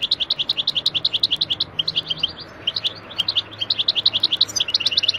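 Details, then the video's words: Wild European goldfinch from Algeria singing, with background noise edited out: a fast, bright stream of high twittering notes, about three or four a second, in long runs broken by a brief pause. "Wild goldfinch song from Algeria تغريد الحسون الخلوي الجزائري"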